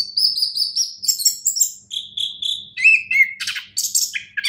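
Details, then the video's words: Steady high whistled notes from a champion orange-headed thrush, held and repeated, then breaking into quick chirps, a downslurred whistle and a dense, scratchy flourish. "anis kembang juara"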